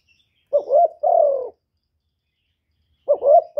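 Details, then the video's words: Spotted dove kept as a decoy bird, cooing 'gáy gù' style to excite other doves: a quick double coo followed by a long, slightly falling coo, then silence before the next phrase begins. "Chim Cu Gáy Mồi gáy gù cực chất, kích mồi kích bổi cực chuẩn"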